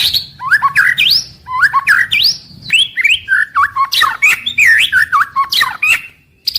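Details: White-rumped shama singing its daily song, kept to encourage birds from morning to evening: a lively stream of loud, varied whistles with swooping up-and-down slurs and sharp chattering notes, delivered almost without pause.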